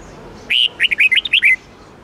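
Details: Red-whiskered bulbul delivering a brisk 8-9-10 note twisting song for daily training: a long opening whistle followed by a rapid chain of short, curling, chirpy notes, all in about one second.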